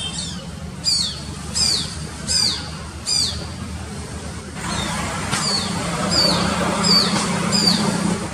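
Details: A Shikra calls from a high tree beside a busy road in Mysore, giving sharp, high, downslurred notes, repeated more than once a second, over the low steady rumble and hiss of road noise.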